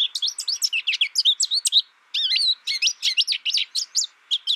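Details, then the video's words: High, tumbling warble of an American Goldfinch, with fast chirps, slurred whistles and a few downward-swooping notes, broken by one brief pause. "American Goldfinch Bird Sound, Bird Song, Bird Call, Bird Calling, Chirps"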